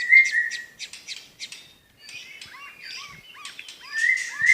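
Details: White-rumped shama from Medan singing its prized rapid 'tembakan' bursts: clean whistled notes near mid pitch, quick high chattering clicks, then a downslurred series and another bright whistle at the end.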